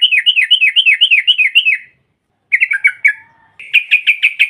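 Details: Female sooty-headed bulbul provoking rivals with a ngropel rattle: a two-second run of rapid, bouncing, looping notes, a quick falling phrase, then an even stream of sharp repeated notes.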